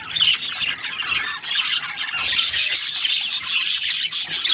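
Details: Budgies chattering nonstop in a dense, high warble of scratchy chirps and squeaks that overlap with no pause, with a few sharper whistled notes near the end.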